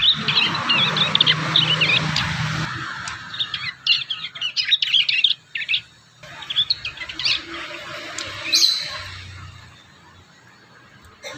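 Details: Juvenile prinias learning to sing give quick bursts of high, thin chirps and trills for about three seconds, then scattered single notes with quieter gaps and a low rumble behind.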